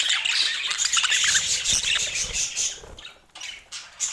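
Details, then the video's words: Budgerigars chatter rapidly in quick high chirps and squawks. The calling thins out and quietens in the last second. "Dieser Sound macht Wellensittich Vogel verrückt"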